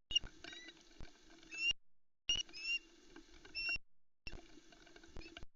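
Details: Female Osprey on a Loch Arkaig nest in Scotland, 4 July 2020, mid-morning, screeching to get at a whole trout the male has brought while her chicks crowd in the way, filmed by nest camera; sharp high squeals in bursts, with broadband rustling.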